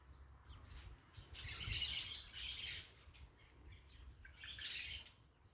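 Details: A flock of parakeets noisily calling outdoors. Dense, harsh, squawky chatter comes in two loud bursts, the first lasting over a second, separated by quieter gaps, over faint low background rumble.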